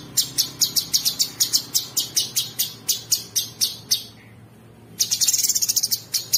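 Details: Sooty-headed bulbul singing coarse 'ngebren' filler as masteran training material for champion birds. A long run of rapid, shrill chipping notes, a pause of about a second, then a denser, faster burst of high buzzy notes.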